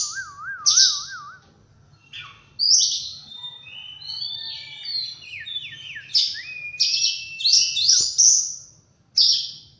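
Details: Oriental magpie-robin morning song: a low wavering warble at the start, then a long varied sequence of high whistled and slurred notes, rapid bright bursts, and a final loud high note.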